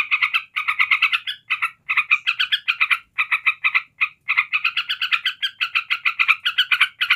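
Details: Yellow-vented bulbul delivering its unbroken 'ngebren ngekek' chattering song to provoke other bulbuls; rapid bubbly bursts of notes in quick phrases, each under a second, separated by brief pauses, running throughout with no other sounds.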